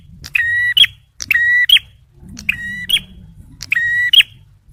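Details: Male bar-winged prinia delivering four evenly spaced nasal buzzy notes, each ending in a bright rising burst, over a low background hum. It is meant for luring and prompting stressed birds.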